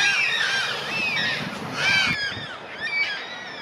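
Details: A large flock of Yellow-tailed Black Cockatoos (Calyptorhynchus funereus) on the North Coast of New South Wales, Australia: many overlapping drawn-out, wailing screeches form a constant harsh chorus, with no other sounds standing out.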